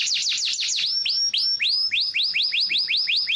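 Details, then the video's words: Yellow canary delivering a quick run of sweeping notes, first falling whistles, then rising, swelling slurred phrases repeated steadily about four times a second. "cannary bird yellow"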